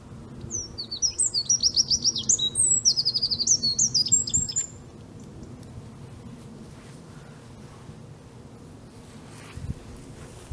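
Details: A Eurasian wren, recorded 5 March 2015 at De Kleuter, Uden, bursts into a loud, rapid four-second song of high trills and sharp notes. Quiet outdoor background follows.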